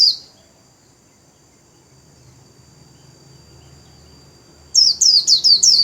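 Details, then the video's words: White-eye kept as a cage bird, wings spread, breaking into a rapid 'líu' warble near the end: a tight burst of high, descending chirps after a long quiet stretch with faint low hum. "KHUYÊN LÍU XÒE CÁNH CỰC KỲ ĐẸP - CÁCH GIÚP KHUYÊN MAU LÍU"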